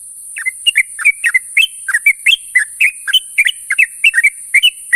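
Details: Sooty-headed bulbul calling companions in the morning: a fast, steady run of short bubbly chirps, each dipping and rising, about four per second throughout, with a constant high hiss behind.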